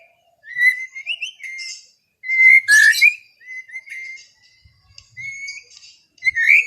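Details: Afternoon white-rumped shama song intended to relax an overexcited bird: smooth drawn-out whistles and slurred phrases, with one noisy harsh burst in the middle and short silent gaps.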